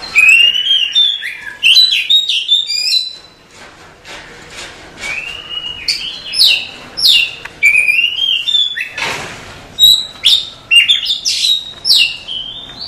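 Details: At night, a female Oriental magpie-robin calls a male with a long, varied run of whistled and chattering phrases, rising and falling, with a short noisy burst midway.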